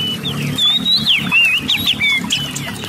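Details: Oriental magpie-robin song, played to provoke lazy caged birds into singing: a string of clear whistled sweeps and slurred rising and falling notes, over a steady low rumbling hum.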